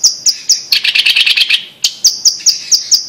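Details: Blue-masked leafbird singing on the Indonesian island of Sumatra, a humid montane forest species: high thin repeated notes alternate with a rapid warbling burst of buzzy chattering phrases.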